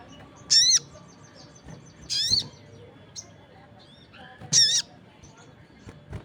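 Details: Crested jay call answered by other birds: three harsh, buzzy, slightly wavering notes, each about a quarter second, at irregular gaps of one and a half to two and a half seconds. Faint chirps come in between.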